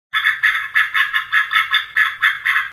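A Mallard gives a quick run of eight harsh, nasal quacks, about three per second and fairly even in loudness, with nothing else heard.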